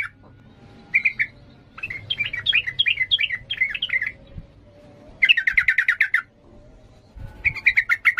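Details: Yellow-vented bulbul in emotional 'ngalas' song, used to train young birds: a short chip, a long wavering warbled phrase, a rapid stuttering trill, then another quick chattering burst.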